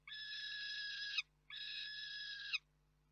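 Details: Two long, rasping, level screams from a young female peregrine falcon shouting at an adult at its overnight roost in Reda, Poland, June 2023. Each ends with a slight downward flick.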